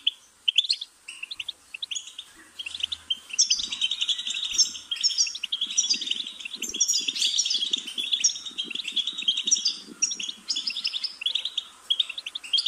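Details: Dense, almost unbroken goldfinch twittering, busy high chirps layered over faint low rustling sounds.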